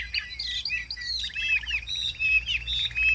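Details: Chinese hwamei cage bird in full song: varied high whistles and warbled phrases with short buzzy trills, steady and loud.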